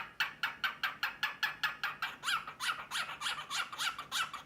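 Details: A male cockatiel courting a sleepy female shifts from snorting huffs to a rapid run of harsh, raspy "ka-ka" chirps, about four a second, then looser warbled, rising notes; the female perhaps shows slight interest.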